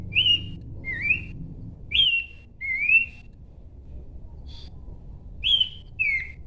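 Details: Repeated two-note whistled phrases from a Horsfield's babbler, a level or falling note answered by a rising one, with brief pauses and a faint high tone between.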